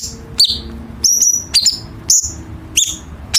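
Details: Chinese bulbul master song for contest birds, with sharp harsh fills: five quick high notes, some flicking upward, some level whistled, about half a second apart.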